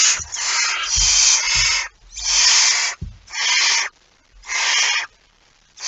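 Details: Harsh snoring hisses from a barn owl at the nest with a mouse, 23 September 2019, some drawn out nearly a second, coming in an uneven series of about five, with soft bumping sounds underneath.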